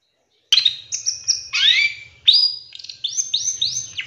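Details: Long-tailed shrike lure recording with 'shot' fill: varied clear whistles, some rising and some falling, mixed with sharp slurred notes in a quick, tumbling phrase. A low hum runs underneath.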